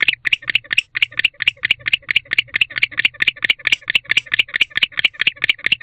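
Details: Courting male barn owl chirping at a nest box at 6:49 pm in late October, hoping for his mate to arrive; continuous string of short, scratchy chirps, around two per second, with a low background hum.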